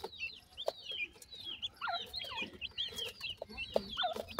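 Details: Teetar (grey francolin) chicks during feeding by their parents utter dense, high, downward-curving chirps, several birds overlapping, with a few lower sharper notes and clicks between them.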